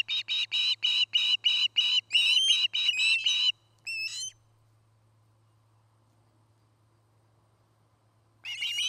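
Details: Osprey on its nest in Charlo, Montana, recorded 09-08-2018 by a nest camera: fast string of high whistled chirps, the later ones upslurred, breaking off into several seconds of quiet before the calling resumes.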